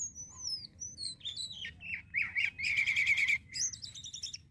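A starling sings a rapid, varied medley of high sliding whistles, buzzy trills and chattering notes, with quick changes every fraction of a second.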